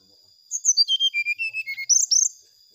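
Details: Lure song of a brown-chested jungle flycatcher for provoking rivals: a tumbling series of sweet whistles dropping in pitch, then two fast high twittering bursts; quiet background apart from a faint steady high tone.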